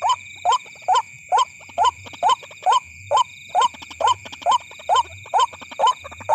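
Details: White-breasted waterhen lure recording, used to call the birds at night: harsh, upslurred croaking notes repeated steadily about twice a second, over a constant high electronic whine.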